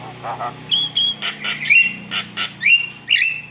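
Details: Javan myna lure song to rile rival birds: bright whistled notes that sweep up then level off, alternating with short harsh bursts, over a steady low hum.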